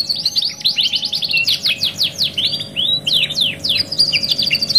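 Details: Canary tutor ('masteran') song, 2 in 1 luxury style: a fast buzzy trill opens, followed by repeated steep downward whistles roughly twice a second and a closing high rattle, with a quiet hum in the background.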